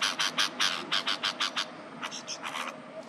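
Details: Hungry baby birds calling their mother for food: a rapid run of harsh, raspy high chirps, about six per second, then a short pause and a few softer, scattered chirps.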